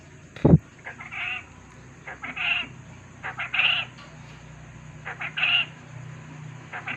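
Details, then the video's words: Quail lure call meant to draw an answer: a loud thump at the start, then a series of short harsh high bursts in irregular groups over a low background hum. "suara pancingan puyuh agar pasti langsung nyaut"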